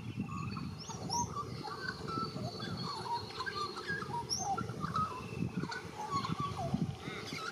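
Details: White-backed Australian magpie in Australia, a young bird learning its warble: a steady run of varied, clear whistled notes and short slurs at mid pitch, with no pauses. A low rumble of wind or handling noise runs underneath.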